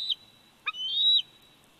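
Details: A 104-day-old bald eagle eaglet at its Big Bear Valley nest, 27 July 2019, recorded by a nest camera, gives a brief squeal, a sharp click, then a long high whistle that swells and bends down at the close.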